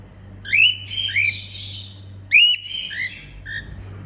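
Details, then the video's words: Singing female cockatiel making happy sounds: bright rising whistles with rasping chatter, a pause, then more upslurred whistles and a short final note, low hum behind. "Female cockatiel singing & making happy sounds"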